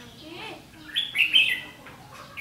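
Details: Red-whiskered bulbul decoy at a trap on 7 July 2016 delivering a fighting song; a brief cluster of bright warbled notes midway, faint murmur before it.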